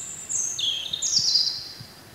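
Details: Spring song of a wild European robin: one brief high phrase, with a thin whistle sliding down in steps and then rising again into a bright, warbled flourish.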